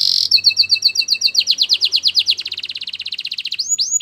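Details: White Belgian canary singing: a short bright opening note, then rapid curved whistled syllables repeated about four times a second, accelerating into a fast rolling trill and closing with high upward-sweeping notes.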